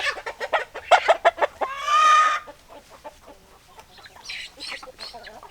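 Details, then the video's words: Chicken with a run of loud, quick clucks, then one drawn-out harsh squawking call lasting under a second, followed by softer distant clucks and a few higher calls. "Chicken Sounds Noises Hens Clucking Roosters Crowing"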